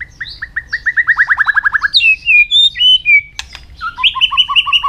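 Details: Training song for many-voiced, fast, intense singing by a white-rumped shama: an accelerating run of short repeated notes, then drawn-out whistles, a sharp click, and a rapid two-tone alternating phrase.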